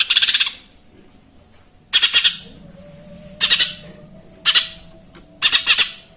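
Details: Lesser green leafbird giving imitated Eurasian tree sparrow chirps: five bursts of coarse, buzzy notes, mostly in threes and fours, spaced one to one and a half seconds apart over a faint hum.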